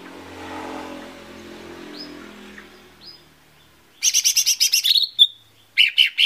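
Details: Lesser green leafbird song played as a lure for singing: faint rustling and a few thin whistles at first, then a loud, rapid string of bright chirps and a slurred whistle, followed by more chips.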